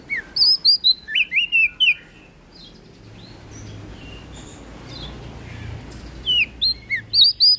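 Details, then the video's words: Melodious, loud song of a West Nusa Tenggara prinia: a rapid burst of about seven sharp, looping whistles, a quieter gap with faint distant notes, then another quick run of high chirps. "PRENJAK DAUN NTB Gacor Ngeplong Suara Merdu"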